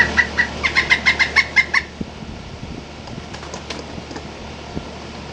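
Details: Pileated woodpecker giving a quick run of about seven ringing 'kuk' notes in under two seconds, then fading to a few faint, distant notes over low background hum.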